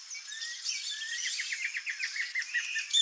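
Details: Rufous-bellied thrush nestlings in the nest, wild, in Brazil: a dense run of short, high chirps and rapid downslurred notes, with thin whistles woven through, ending in a sharper squeak.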